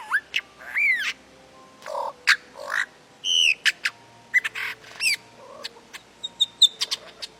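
Lyrebird pouring out a rapid jumble of varied notes: whistled upsweeps, harsh squawks, clicks and ringing tones, changing every half second.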